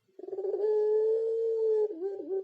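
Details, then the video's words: Turtle dove, called puter pelung, said to sound like a ghost: a single long, low, hollow coo held steady for over a second, opening with a quick stuttering burst and ending in a wavering drop. "puter pelung // mirip suara hantu"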